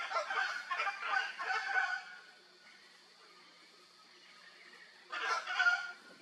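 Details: Hyacinth macaws at play in the wild in Brazil give a run of coarse, grating squawks, then a quiet stretch with a steady insect hum before another short harsh burst.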